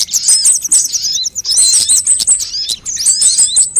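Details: High sunbird trills, played to draw birds in and make them call: three separate bursts of rapid, thin, ringing notes, each a quick descending series, with short gaps between them.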